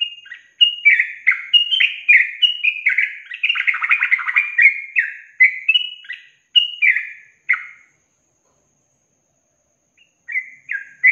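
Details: Yellow-vented bulbul delivering a long, rolling trill in a songbird training recording: eight seconds of rapid bubbly whistled notes, a dense burst in the middle, then silence before a brief restart.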